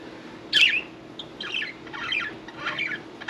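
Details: Pet budgerigars, parakeets kept indoors, one having just taken a bath, making a sharp squawk followed by several scratchy, warbling chirps over a steady background hum.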